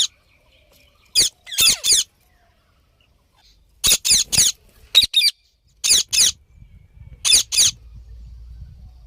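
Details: Parrot calling in short runs of two or three harsh, wavering squawks, repeated irregularly with quiet spells between, low rumble near the end.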